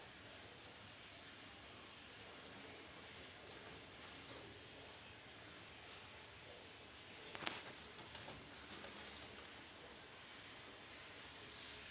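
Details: Faint steady hiss is broken by one sharp click near the middle and some light tapping, with no animal voice.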